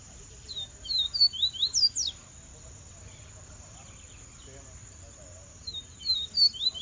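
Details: Double-collared seedeater gives two quick bursts of high, twittering song, fast slurred chirps each about a second long, over a steady thin high whine.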